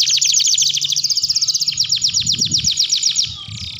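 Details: Canary in long continuous song, a master recording used to train other canaries; rapid high trills of repeated notes, about four per second, shifting into a faster rolling trill midway.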